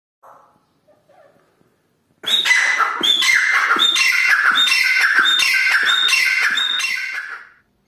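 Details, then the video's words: Caged titar partridge of the Dhakni voice type: after a few soft notes, a loud, fast run of ringing, whistled calls, each with a sharp upward-sliding note, repeated about twice a second for five seconds, indoors. "Dhakni Titar Voicer"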